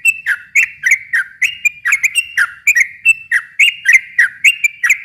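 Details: Sooty-headed bulbul song used to lure or provoke a silent bird into singing back: rapid run of short whistled, slurred notes around the same pitch, several per second, each with a sharp click-like onset, continuous for five seconds.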